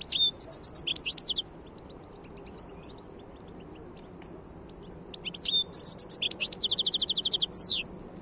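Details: Wild European goldfinch singing in 2022, Algeria: two bright bursts of rapid, tinkling twitters and buzzy trills, each closing with a harsh rising note, separated by about four seconds of quiet.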